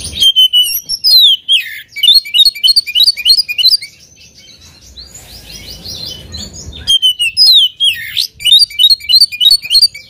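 Oriental magpie-robin sings rich, fast phrases of whistles, trills and sharp notes for about four seconds, pauses amid faint background hiss, then resumes.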